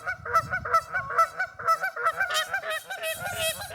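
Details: Lively geese filmed in a local park in West Virginia, a flock giving rapid overlapping honks, harmonic and nasal, repeated several times a second without pause.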